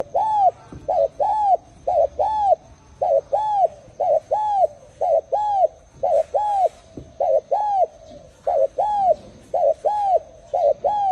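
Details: Spotted dove cooing steadily. Soft, hollow, arched coo notes come mostly in close pairs, each pair about a second apart. A faint constant high whine runs underneath.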